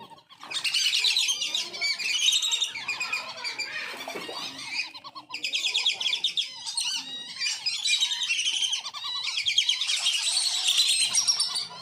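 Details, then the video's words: Farm-kept wandering whistling ducks calling together, a recording meant to lure wild ducks: loud bursts of shrill, twittering whistles from many birds, separated by short quieter gaps, with softer rhythmic lower notes running underneath. "SUARA PEMANGGIL BURUNG BELIBIS KEMBANG ORIGINAL DARI PETERNAKAN"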